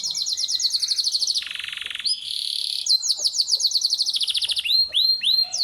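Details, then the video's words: A pet domestic canary, kept at home in Islamabad, Pakistan, sings in the early morning a fast, varied song of high, rapid trills and buzzy rolls, shifting between tours every second or so, with nothing else heard. "Canary Singing Bird"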